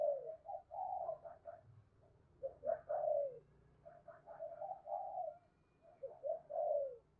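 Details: Spotted dove calling as a lure for wild doves: repeated low, husky coo phrases in uneven bursts across the whole stretch, each ending in a falling drawn-out note.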